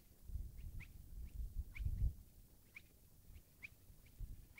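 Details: Spotted crake at Lille Vildmose, Denmark, on 17 June 2012: faint, short, whip-like upslurred notes repeated about once a second over heavy low wind rumble.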